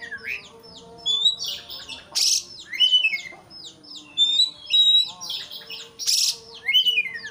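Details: White-rumped shama song played to make a rival sing hard: rapid varied whistles and chattering phrases, interrupted by two harsh, noisy bursts, with phrases coming in roughly regular bursts.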